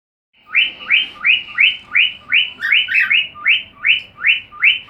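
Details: Pet cockatiel singing to the sound of another cockatiel's song: a steady run of rising whistled notes, each sweeping upward then levelling, repeated about two to three times per second in an even rhythm.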